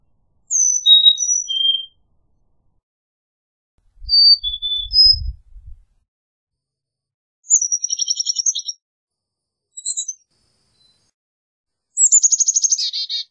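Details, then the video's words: Carolina chickadee alternating sweet whistled high-low phrases with buzzy chattering calls; a sliding whistle leads into a dense rapid series near the end. A low rumble sounds briefly in the middle. "Carolina Chickadee Song! Carolina Chickadee Call! -Carbonero De Carolina Canto- Poecile Carolinensis"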